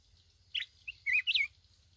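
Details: Wild mountain red-whiskered bulbul in Bình Thuận, Vietnam, caught for trapping, sings a short phrase: a few clipped chirps, then two bright whistled notes that rise and fall, with a faint low hum underneath.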